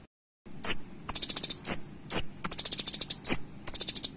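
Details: Sharp, punchy fill-in song of a Van Hasselt's sunbird, called kolibri raja in Solo: shrill high chips interleaved with fast stuttering trills of five to eight notes, repeated briskly over a faint low hum.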